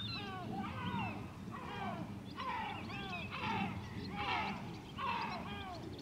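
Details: White-tailed eagle at Grönvik, Ornö, recorded 16 July 2024: bursts of loud yelping, down-slurred harmonic notes in quick series, about five bursts over six seconds, over a steady low rumble.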